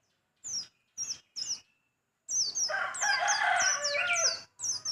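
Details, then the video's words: Small white-eye singing sharply: three separate high downslurred chirps, then a dense continuous run of rapid high slurred notes layered over fuller mid-pitched warbling, ending in another brief chirp. "burung pleci kecil suara pedas"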